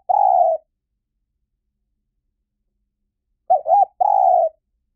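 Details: Spotted dove decoy calling to bring wild doves in fast. One long level coo, a pause of about three seconds, then a phrase of two quick short coos and a sustained slightly falling coo.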